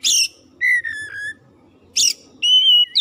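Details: Oriental magpie-robin song, offered as song to get a silent, sluggish bird singing again: harsh raspy bursts alternate with clear whistled notes, a drawn slightly falling whistle, then a steady whistle and a quick upward slur at the end.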